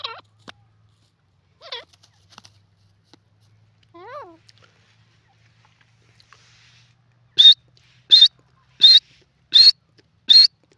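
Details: Grey francolin in Pakistan, playing in mud. A few soft, faint bent notes come first, then five loud, shrill, high notes repeated about every 0.7 seconds, with near silence between them.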